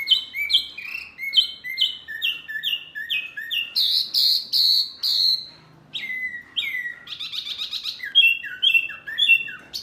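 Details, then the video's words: Training song meant to make caged Murai, Kacer, Cucak ijo and jalak reply: varied whistled phrases of paired downslurred notes, a loud rich burst, a short pause, then harsh buzzy notes and fast chattering. "Masteran burung Murai, Kacer, Cucak ijo, jalak, pasti NYAUTTTTT"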